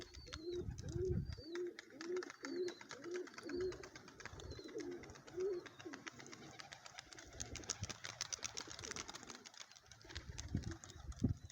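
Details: Lotan pigeon gives a series of short, low bubbling coos, roughly two per second, that fade out midway. Faint high whistles and a busy crackling background follow.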